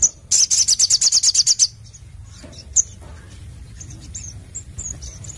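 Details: Sogon, the crimson sunbird, singing in the lively 'nembak' style: a quick burst of about ten very high staccato notes in a rapid trill, then single chips and faint high twittering.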